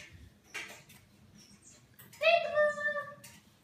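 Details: A pet African grey parrot laughs while playing peek-a-boo indoors, giving a loud, clear, harmonic drawn-out vocalization after soft background speech and rustling.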